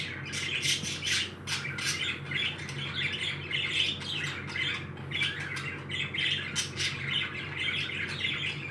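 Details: Happy pet parakeets chattering indoors: a continuous stream of short scratchy squawks and chirps in irregular bursts, several overlapping, over a steady low background hum.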